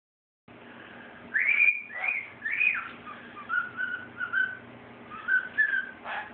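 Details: Five-month-old male cockatiel whistles the Andy Griffith television theme he is still learning, in clear, swooping phrases with short pauses, while another bird distracts him.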